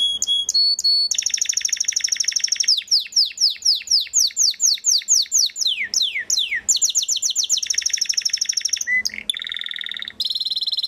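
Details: Belgian Waterslager canary singing a long phrase sequence: rapid rolling trill, a string of downward-sliding whistles, steep sweeping notes, then fast pulsed rolls and short bright tones.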